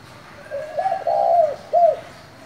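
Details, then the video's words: Spotted dove in the 'thổ' voice style, calling to rouse newly caught doves. A single low phrase: soft opening notes, a drawn-out wavering coo, then a short separate closing note. "Cu gáy giọng thổ gọi, thúc kích bổi nhanh nổi"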